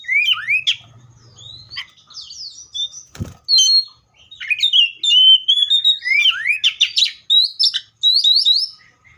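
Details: Seychelles magpie-robin singing a loud, varied phrase of rich whistles, sharp upslurs and quick chirps, mostly high-pitched, with one brief click partway through.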